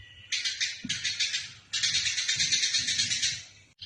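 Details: Eurasian tree sparrow in fighting mode, used for training songbirds: bursts of harsh, rapid chattering, a short series first and then a longer run, ending abruptly.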